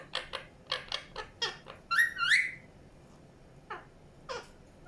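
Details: Indian ringneck parakeet giving a series of short, quick chirps, a pair of louder upward-swept squawky notes in the middle, then two isolated chirps after a quiet gap.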